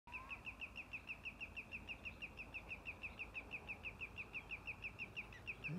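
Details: Common greenshanks alarming persistently at something at lake Mingen, Njurunda, Sweden, 1 June 2021: a rapid, unbroken series of sharp, ringing high notes, several per second, over a low rumble, ending with a brief low voice, likely the Eurasian bittern's booming.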